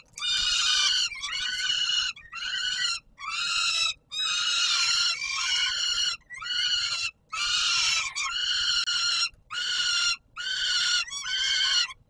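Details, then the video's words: Peregrine falcons at the Palace of Culture and Science in Warsaw, Poland, 17 July 2022, at supper feeding time: harsh, rasping, harmonic screams in long bursts of about a second, broken by short gaps, calling almost without pause. "Sokół wędrowny PKiN Warszawa - Chłopaki wstawać kolacja"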